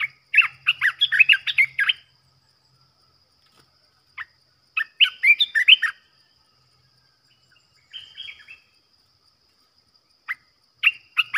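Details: Caged bulbul used as a trapping decoy: bursts of bright, chattering chirps and warbled notes, several rapid phrases around the start and middle, then a few short isolated calls, with quiet gaps between.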